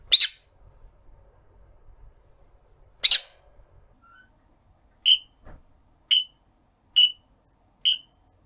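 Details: Captive rosy-faced lovebird aged 1 year 9 months calling for its owner: two harsh broadband shrieks, a quiet pause, then four sharp ringing calls evenly spaced roughly a second apart in a quiet room.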